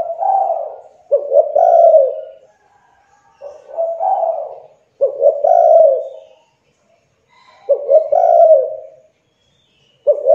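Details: Spotted dove (tekukur) cooing, used to lure young or reluctant doves into calling. Low cooing phrases near 600, each a short stutter followed by a longer rolling coo, repeated roughly every three seconds; quiet indoor setting, no other sounds.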